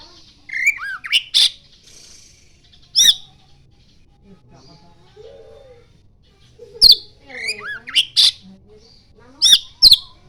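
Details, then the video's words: Oriental magpie-robin whose song includes mimicry of the common iora. Sparse phrases of bright, high, slurred whistles and clipped chirps come in short clusters, separated by quiet gaps with faint low murmurs. "Kacer gacor NGIPAS - NGIPAS isian burung CIPOW"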